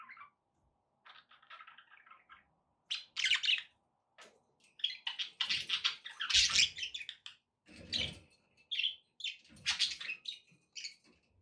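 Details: Pet budgerigars warbling to encourage a pet parrot to eat and sing: irregular bursts of chattering, buzzy warbles and squeaks, growing busier and louder midway, with short silent gaps.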